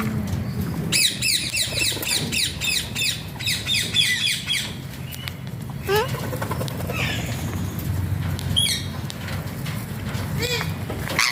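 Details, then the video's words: Pahaadi tota, the Alexandrine parakeet, bursts into a rapid volley of grating squawks for several seconds, followed by scattered single rising calls and softer voice-like notes against a continuous low background rumble. "Alexander pahaadi tota funny talking sounds"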